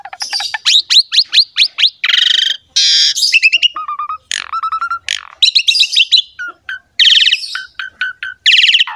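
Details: Asian pied starling, a caged bird, singing a master recording for coaxing reluctant birds: fast series of sharp notes, harsh rasping bursts, low whistled pairs and varied chattering phrases throughout.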